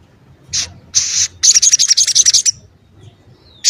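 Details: Crimson sunbird, locally sogon ontong, singing actively. Its voice is prized as a tight, sharp model for training other songbirds. Short hissy bursts lead into a rapid, high, pulsing trill of about a dozen notes that stops abruptly.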